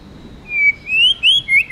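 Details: Tame White-rumped shama delivering forest-voice song as a few long, sweet whistles, each gently rising and slurred together.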